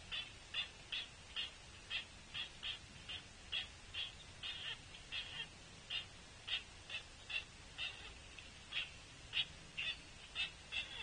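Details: A young pileated woodpecker begs its mother for food at a bird feeder with short, harsh, high calls repeated two or three times a second, steady throughout, over faint background hiss.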